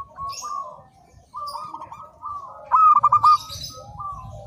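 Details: Local zebra dove singing for training: drawn-out soft coos, then a loud stuttering phrase of clipped bright notes, with faint high chirps from other birds and low background hum.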